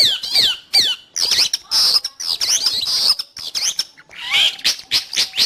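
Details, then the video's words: Song of the long-tailed shrike used to train pet birds or lure wild ones: harsh scratchy squawks mixed with downslurred whistles, given in bursts separated by short pauses. "Suara burung Cendet / pentet"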